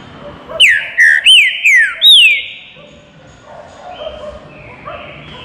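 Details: Green-winged saltator of the baruc song style, calling from a perch: four loud, clear whistled notes, each sliding downward, given in quick succession, then quieter whistles over steady background hum.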